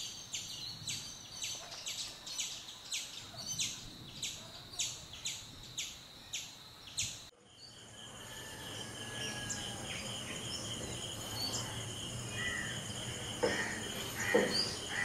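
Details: Black-rumped flameback from a pair inspecting a tree hole as a nest site: a run of sharp, harsh notes about once a second for seven seconds, then an abrupt cut to steady insect trilling and distant faint calls.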